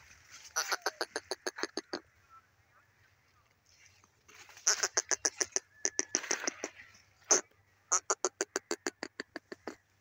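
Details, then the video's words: Grey francolin, called Sindhi teetar: loud harsh clicking notes in rapid runs of about ten, roughly three per second, in three bursts separated by short pauses, with one extra stressed note between the later runs. "grey francolin teetar awaz sindhi patha ki awaz"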